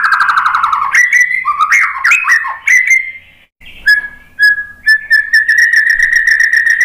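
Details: White-rumped shama singing energetically, played to draw other birds into song. It gives a varied run of rich whistled phrases with abrupt pitch jumps and sliding notes. A short pause follows, then a steady trilled whistle.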